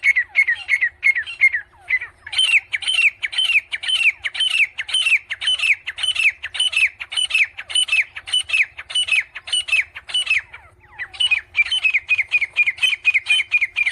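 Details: Grey francolin chicks fighting: a steady stream of sharp, high squawking chirps, roughly two per second, continuing with a brief pause near the tenth second, over a quiet low hum.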